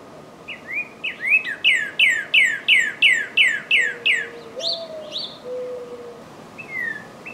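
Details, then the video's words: Northern cardinal singing in spring, a fast run of about ten loud, clear downslurred whistles, then a few slower slurred notes, with a faint low whistled tone underneath. "Cardinal Bird Calling Sound"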